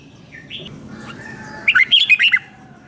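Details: Red-whiskered bulbul in competition-song training, singing a short, bright warbling phrase of quick rising and falling notes near the end, after faint background chirps.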